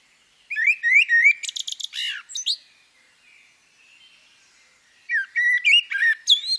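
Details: Song of a female common blackbird: a mellow warbled phrase sliding around mid pitch, then a burst of scratchy high twittering; after a quiet gap, a second fluty phrase with sharp high squeaks starts.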